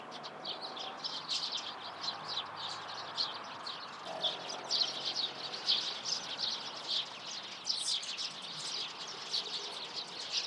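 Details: Eurasian tree sparrows chattering in the morning: rapid short chirps from several birds overlapping without pause, with a faint low hum in the background.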